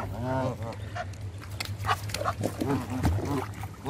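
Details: Canada goose being hand fed, opening with two loud, rich nasal honks, then softer short calls and scattered clicks over a steady low hum.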